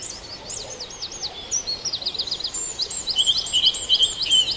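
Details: Dawn birdsong at Farndale: fast, high, jangling twitters tumble along, then a run of evenly spaced bright chirping notes grows louder toward the end.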